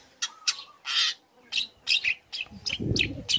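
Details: Young long-tailed shrike giving provocative lure song aimed at other shrikes: short harsh rasps and brief whistled notes in uneven bursts, with a low thudding noise near the end.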